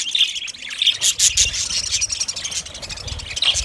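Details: Short burst of white budgie chatter: high pinging chirps and buzzy squeaks over a continuous twittering background.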